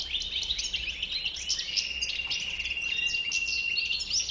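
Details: White-bearded (bouc blanc) European goldfinch delivering rapid twittering phrases of bright, jangling notes, with a thin sustained tone running underneath through the second half.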